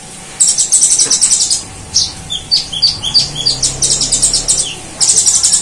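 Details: Vocal kolibri ninja sunbird in full song, mimicking cililin and golden grasshopper: long runs of fast, shrill buzzing trills broken by clipped chips and short sweeping notes, nearly continuous, with a low background hum.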